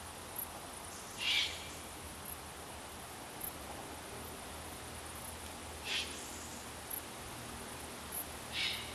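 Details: Eurasian eagle-owl chicks, four young still unable to fly, at the nest in Baden-Württemberg, southern Germany, give short, harsh hissing calls every two to four seconds over a faint, even background hiss.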